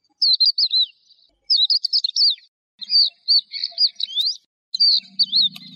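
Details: Singing lark delivering four short phrases of quick, twisting high whistles, each about a second long with brief pauses between; a faint low hum enters near the end.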